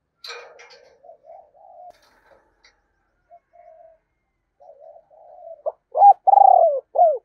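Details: Decoy spotted dove with a 'thổ' voice style cooing: soft, low murmured notes at first, then a loud rising short coo, a long full drawn-out coo and a closing short coo in quiet surroundings.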